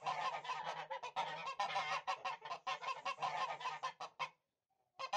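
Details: Domestic Tula fighting geese from Russia, an old breed kept for fighting, calling in a dense run of harsh, nasal honks repeated several times a second, then a brief pause.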